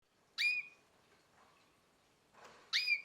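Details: Canary about nine months old giving two short, bright call notes, each a quick upward sweep that levels off into a brief whistle, about two seconds apart, with a soft rustle between them and a quiet background.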